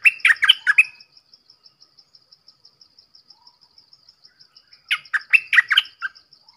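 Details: Red-whiskered bulbul giving two short bursts of rich, chortling notes about four seconds apart, each of four to five syllables, with a continuous faint high-pitched ticking in the background between phrases.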